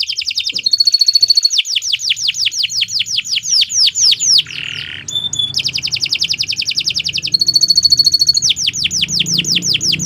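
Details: Canary singing a long, nonstop song meant as a master recording for tutoring other songbirds. It is rapid, high and bright, with quick repeated downward-sweeping notes, rolling trills and buzzy phrases, and one short break midway.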